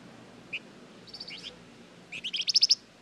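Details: Flamboyan bird in strong voice, played as a lure to prompt other birds to answer: scattered high chirps, then an accelerating run of ringing, very high notes growing louder toward the end.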